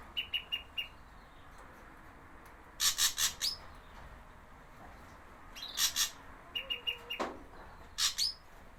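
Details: Javan ashy drongo, recording made as a lure for wild birds: short clear whistled pips in small runs mixed with loud grating bursts and a single sharp falling swoop.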